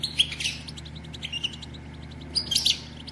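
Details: European goldfinch female batbata, used to stimulate males to sing and breed: high, bright chirps and rapid twittering at the start, softer scattered notes in the middle, then another lively burst of sharp, tinkling calls, with low hum underneath.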